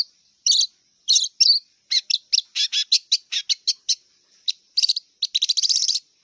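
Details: A wild long-tailed shrike sings in spurts of raspy double notes and quick scratchy chips. It ends with an accelerating rapid rattle of harsh notes.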